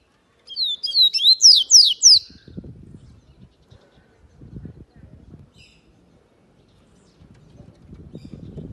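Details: Yellow-bellied seedeater delivering one quick burst of high, sharply slurred and twittering notes lasting under two seconds, followed by low knocking and rustling noises.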